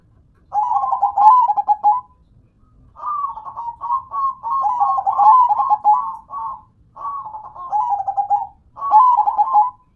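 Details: Actively singing local zebra dove, perkutut manggung style: nearly continuous strings of quick rolling coos, each phrase a stuttered trill dipping then rising, with only short gaps between phrases.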